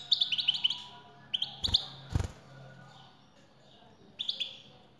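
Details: Male European goldfinch answering a female's call with a rapid string of chirps, then shorter bursts, broken by two loud knocking sounds in the middle.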